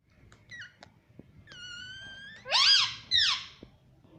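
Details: Pet talking parrot, taught to say mummy and papa, kept indoors; a thin sustained whistle with a few faint clicks, then two loud harmonic arched calls that rise and fall in quick succession, over quiet room noise.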